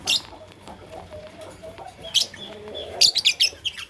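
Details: Fischer's and masked lovebirds chirping in the morning: sharp, high, broadband chirps in short bursts, with a steady faint whistled tone and low background hum between calls.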